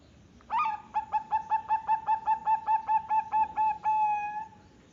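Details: Singing female zebra dove of the Bangkok type, Jepara, Central Java, Indonesia: about seventeen brisk, rhythmic cooing notes, roughly two or three per second, closing on one sustained, even note.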